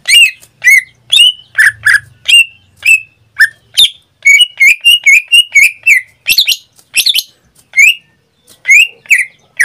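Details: Caged greater green leafbird kept as a pet, singing in full form almost daily: loud varied phrases of sharp whistled and chattering notes around two seconds per burst, some slurred downward, delivered in a rapid uneven series with brief pauses.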